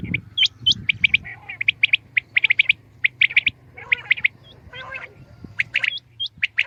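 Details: Morning calls of common quail, short bright notes grouped in quick bursts of two or three, some with a hooked upward flick, against a quiet background with a faint low hum.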